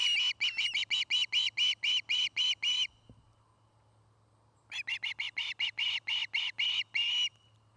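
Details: At its nest in Charlo, Montana, an osprey gives fast runs of sharp, piercing whistles, about four per second, broken by a three-second quiet gap before another long series. Recorded on a nest camera dated 09-05-2018.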